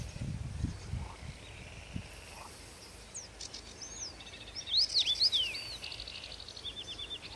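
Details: A Common Rosefinch at Stawy Pietkowskie, Podlasie, Poland, in May 2018 gives a short burst of clear, slurred whistles rising and falling over about a second, with other faint bird calls and low rumbling noise.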